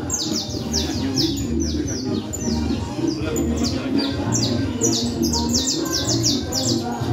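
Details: Canario criollo singing in the cruzeta style in Manhattan: rapid series of high, steeply falling whistled sweeps repeated several times a second, over a steady low hum of indoor noise, murmuring voices and faint music.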